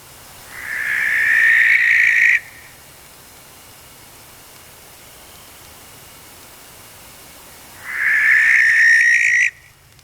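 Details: Barn owl recorded in the wild gives two long, raspy, hissing screeches about six seconds apart, each nearly two seconds long, with quiet background between; a night screech rather than a hoot.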